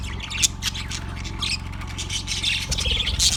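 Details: A yellow budgie chatters on February 18, 2024, giving busy, scratchy high chirps and squeaky warbles over a constant low hum.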